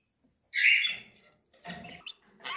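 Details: Breeding budgerigars: a loud harsh squawk, then softer scratchy chatter and a short grating note.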